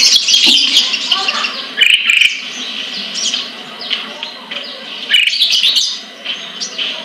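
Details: ['Sunbird kept caged in Pemalang, Central Java, Indonesia, producing repeated surges of high, buzzy twittering, each lasting about a second with short quieter gaps between.']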